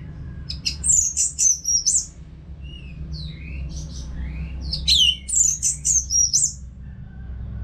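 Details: Orange-headed thrush, a caged bird, singing continuously as a training and therapy sound for other caged birds; bursts of high whistled and sharp chattering phrases, then softer lower slurred notes, then another loud burst, over a low steady hum.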